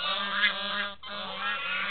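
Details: Noisy geese honking: two long, harsh, nasal honks, each held for close to a second, separated by a brief gap.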